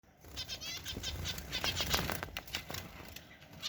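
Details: Zebra finch chicks from Mansehra, giving dense runs of short, buzzy, nasal chirps in rapid irregular succession, several overlapping with soft rustling and wing flutters behind them.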